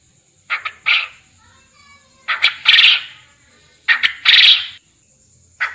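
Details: Quail calling, recorded as training material to get contest quail calling actively: two or three quick clipped notes then a louder rasping burst, phrases spaced roughly 1.7 seconds apart over a faint constant high whine.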